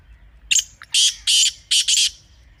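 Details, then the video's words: Scratchy partridge notes: a thin short note, then four strong, grating bursts, the last two run together, ending the phrase within a second and a half. "Teetar Ki Awaz Ko Mazboot Karne Ka Tarika"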